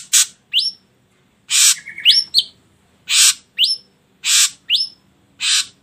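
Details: Ashy drongo song used to prompt other birds to sing. Harsh rasping notes alternate irregularly with bright rising whistles, about forty phrases a minute, with one buzzy trill midway.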